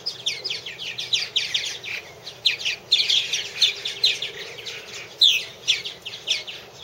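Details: Purple martin colony at nest houses, recorded by a 2014 cam: loud, busy chatter of crisp chirps and croaky downslurred notes in quick succession from several birds, little other noise.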